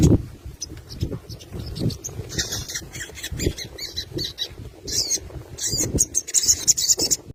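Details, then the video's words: Crested jay, locally sogon, calling out a rival as a lure: grating, scratchy bursts that grow denser toward the end, over low rumbling background noise. "SOGON KONSLET MEMANGGIL LAWAN.!! PANCINGAN BURUNG SOGON BIAR NYAUT..!"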